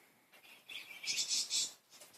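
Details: A playful budgerigar utters a quick string of bright, high, squeaky chirps rising in loudness, set against light background hiss.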